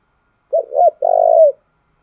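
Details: Spotted dove lure call for training decoys: a single low cooing phrase of two short hoots followed by a sustained, gently pulsing coo that drops off at its close.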